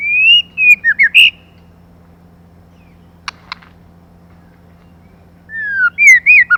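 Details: Female white-rumped shama song used to stir up males, heard as a burst of quick, looping whistled notes, then a silent gap with two faint clicks, then another rapid whistled phrase.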